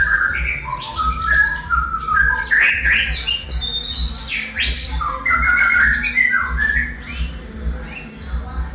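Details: Eleven-month-old white-rumped shama imitating a lyrebird: a varied, fast stream of squawky, sliding and whistled phrases, with rising and falling notes and harsh rasps, over a steady low pulsing hum.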